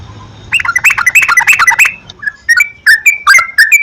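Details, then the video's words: Lure song of a yellow-vented bulbul, used to coax a bird into regular singing; a fast run of liquid, warbling notes, then spaced, bright, upslurred whistles. "PANCINGAN BURUNG TRUCUKAN TERAPI PAGI,SIANG,MALAM,AGAR TRUCUKAN RAJIN GACOR"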